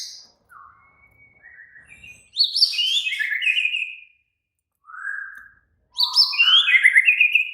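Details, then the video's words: Agitated White-rumped shama song in bursts: soft short whistles, then a loud tumbling cascade of high notes, a single lower whistle, and another loud falling run of varied phrases. "Murai batu langsung EMOSI TERPIKAT suara murai batu ngamuk AKTIF"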